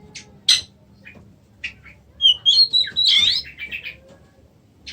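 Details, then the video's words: Caged Oriental magpie-robin (kacer), described as 'macet' (stalled), gives scattered sharp chirps, then a run of clear rising and falling whistles mixed with harsh buzzy notes, broken by short pauses, in a quiet room. "kacer macet"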